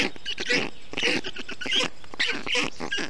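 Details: Storklets of the black stork in a nest in Estonia, 20 June 2021, being cooled by the male with water and wet grass in heat. Uneven bursts of rasping, wheezy calls come roughly every half second.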